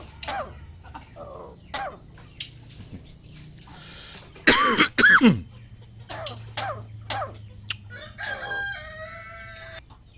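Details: Tame, hand-raised Asian pied starling that imitates many human words, heard mimicking a cough: sharp broadband cough-like bursts and clicks, a loud harsh double burst midway, then clear whistled tonal notes near the end.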